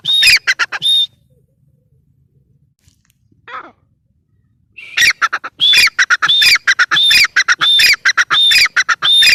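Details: Female grey francolin calling in loud bursts, each phrase a high clear whistle followed by rapid harsh repeated notes, about 1.5 per second. A silent pause splits an early burst from a longer run.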